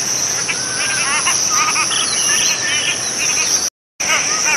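Cotton pygmy goose giving quick, chattering bursts of nasal notes that rise and fall. A steady high insect drone continues throughout.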